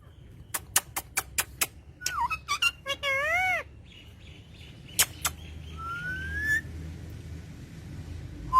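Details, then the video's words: Green pet parrot with its owner, giving sharp clicks, then a quick series of wavering whistled notes and a long upward-sliding whistle, over a low background hum. "parrot talking to it's owner"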